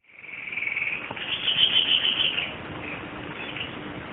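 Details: White-bibbed babbler, a bird endemic to Java, in a song-tutoring recording. A rapid, dense, high warbling chatter runs for about two and a half seconds, then fades to faint, scattered chirps.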